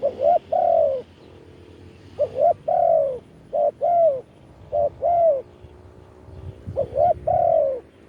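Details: A branch-perch decoy spotted dove gives a long live calling bout meant to lure wild birds. It makes loud coupled coos, the second note of each pair longer and arching downward, repeated in a steady rhythm with short breaks.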